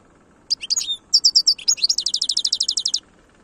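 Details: A European goldfinch in the khalwi song style, Algeria, 2022. The phrase opens with a few mixed twitters and rising slurs, then settles into a fast, steady trill of around fourteen repeated bright, high notes before stopping.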